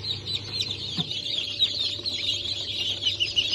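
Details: A brood of newly hatched Cream Legbar, Sultan and Maran chicks, hatched 15 March 2024, fills the space with continuous shrill peeping, many high cheeps overlapping, above a constant low mechanical hum.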